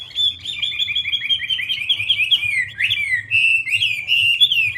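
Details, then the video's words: Wambi bird in lively song: rapid chattering warble of short, repeated slurred notes that runs almost without a break, with a few higher sweeping whistles near the end. "Burung wambie"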